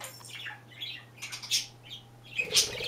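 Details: Pet budgerigar, a male kept indoors, described as funny and handsome: short scratchy chirps and warbles in quick bursts, with a louder squawk near the end and a steady low electrical hum underneath.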